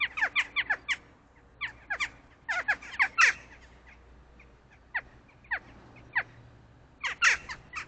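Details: At 7:15 AM a mated pair of crows, soon joined by others, trade harsh, scratchy caws in quick bursts of three to five with pauses of a second or two; morning duet calling for peanuts at a feeder.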